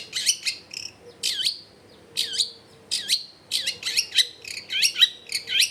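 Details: Long-tailed shrike song used to get quiet shrikes to answer, recorded at a home in a crowded neighbourhood: lively high twittering phrases with down-swooping whistled notes, repeated in quick bursts about every half second.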